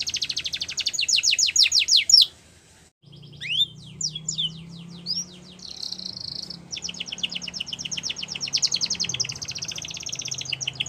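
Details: Canary song with a loud rapid trill, a pause, scattered sweeping notes and a softer steady trill, over a low hum in the background.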